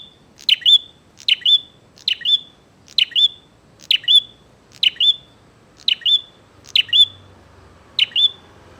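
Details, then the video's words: Bar-winged prinia in persistent, chatty song meant to provoke a fight: nine crisp high phrases, each a sharp downslurred chip and short buzzy whistle, repeated roughly once a second, with a soft low hum late on. "SUARA BURUNG PRENJAK GACOR NGAJAK TARUNG"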